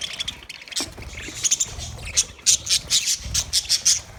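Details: Aviary budgerigars in Australia giving rapid high squawks and chirps, bursts growing louder and more regular in the second half, several birds calling together over low background rumble.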